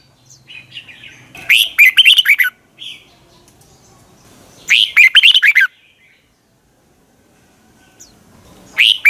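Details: Red-whiskered bulbul in morning song, 'giọng kép xoắn dài' style, for training birds. Two dense phrases of fast, looping whistles about three seconds apart, with a few soft scattered notes between and a third phrase starting at the end.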